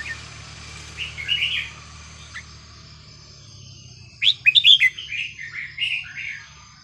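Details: Red-whiskered bulbul, a caged bird, singing varied phrases kept for teaching young birds: a short warbled burst, a long pause, then a louder run of rich, slurred whistled notes rising and falling, over a low steady hum.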